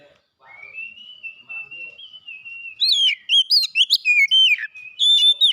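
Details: Oriental magpie-robin (kacer) that won first place in a singing competition: a long, steady, thin whistle gives way to rapid, loud, varied notes that swoop up and down in quick bursts, about four per second.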